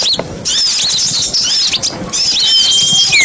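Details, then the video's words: Small-bird lure call made of dense, shrill, squeaky chirps and rapid up-and-down whistled slurs, almost continuous and very high, ending with a thin, steady whistle and a descending squeak. "Suara pikatan burung kecil"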